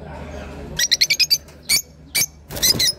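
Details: Lovebirds calling indoors: a quick burst of five sharp, shrill squeaky chirps, then single piercing notes spaced apart, ending in a harsher chattering cluster, over a low room hum.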